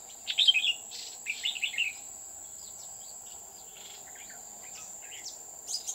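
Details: Decoy red-whiskered bulbul singing during trapping at An Phu mountain, Huong pagoda, on 20 October 2019; loud chirpy warbled phrases at the start, then scattered softer notes from other birds over a constant high insect whine.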